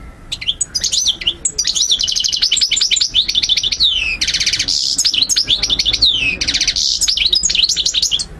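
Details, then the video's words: European goldfinch song played to stimulate and teach birds: sustained fast twittering with rattling trills and repeated harsh buzzy phrases, nearly continuous throughout. "مقنين ملك 👑 تغريد 💯 الطيور 2023🔥💥 تسميع وتحفيز تحفيظ"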